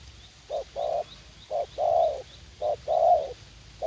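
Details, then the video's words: Young spotted dove used as a decoy, reportedly eager to fight, luring in a garden at U Minh; steady repeated pairs of a short note and a longer warm coo, roughly one pair per second, ending on a fresh short note. "Gác Cu Gáy / Bổi Tơ Háo Đá"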